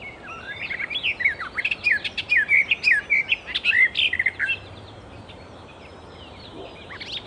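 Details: Free-living Icterine warbler pouring out a dense, energetic phrase of high, pulsed chirps and whistled slurs at a brisk, even pace, then quieting for the last few seconds before one faint note.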